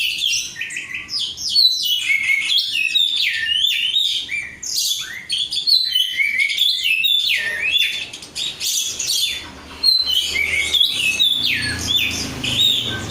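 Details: Caged oriental magpie-robin (kacer) of the 'rudal Korea' type, described as gacor, delivering a long continuous song of high chattering notes, quick whistled slurs and trills with brief pauses between bursts.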